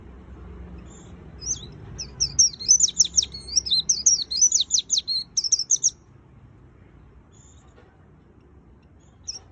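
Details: Energetic "gacor full isian" song of a white-eye: a rapid, tumbling run of very high chirps and trills lasting about four seconds. It stops abruptly into quiet, with a single faint note near the end.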